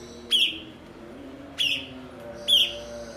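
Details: Blue-winged leafbird, locally cucak cungkok, a skilled mimic kept as a master bird for training other songbirds; three sharp, bright chip notes, each dropping quickly and trailing off, spaced about a second apart over a faint hum.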